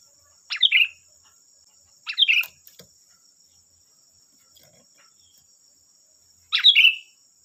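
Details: Sooty-headed bulbul phrases, short and bubbly with a slurred ending, three in quick succession then a gap, used as a lure so other bulbuls respond; faint taps and a steady high whine in the background.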